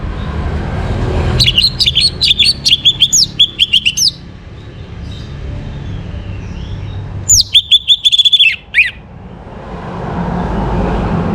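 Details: Morning song of an orange-headed thrush, played to bring birds into breeding condition: two bouts of rapid repeated sharp notes with a short slurred ending, separated by a quiet gap with low rumbling background.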